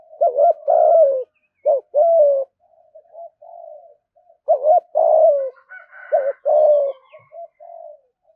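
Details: Spotted dove in fast 'thúc gù' coo meant to provoke rivals into coming to fight. Repeated low phrases of quick double notes and long mellow coos, with soft murmurs between them and a faint higher note near the end.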